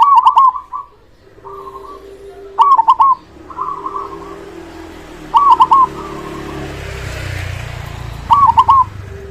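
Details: Loud local zebra dove singing to prompt silent doves to answer; stuttering bubbling coo phrases recur every two to three seconds, with softer coos and a rising wash of rumbling, hissing noise midway.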